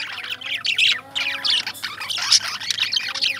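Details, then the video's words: Chattering lovebirds give a dense mix of shrill chirps and rough squawks with hardly a pause, over a soft low background hum. "Love Birds Chirping"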